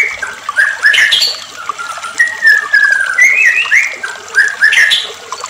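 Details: White-rumped shama song used as a lure: lower sliding whistles and slurred notes in short phrases, separated by brief pauses.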